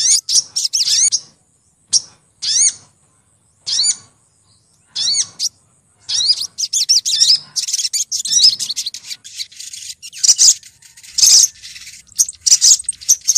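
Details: Female olive-backed sunbird calling to the male, lure recording from Lumajang, Indonesia: evenly spaced single high chirps give way to a busy stream of fast, shrill twitters.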